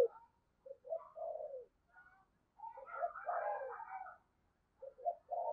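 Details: Decoy spotted dove of the thunder-voiced bầu type calling to lure wild birds, heard fairly faint: low coo phrases at the start and end, with a burst of mixed higher twittering in between.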